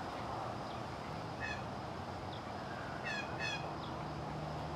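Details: A Blue Jay fledgling in Scranton, Pennsylvania, USA gives three harsh, nasal, raspy calls, one alone and then a quick pair, over steady low traffic rumble.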